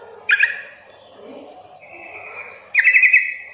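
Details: Sooty-headed bulbul calling as a lure so that untrained bulbuls call back: a quick bubbly phrase, a soft level whistle in the middle, then a louder rapid run of five or six chirpy notes.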